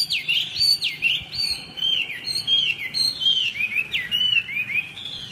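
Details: Song of a Chinese hwamei, a three-season bird just finished moulting: continuous rich whistled phrases, fast rising and falling slurs packed with sharp notes, strong and unbroken throughout.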